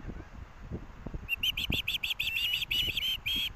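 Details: Osprey chick at the Hellgate nest, University of Montana, Missoula, Montana, calling on 18 August 2024 while parents deliver fish: quiet wind for a second, then a fast run of sharp, high whistled chirps, about three a second.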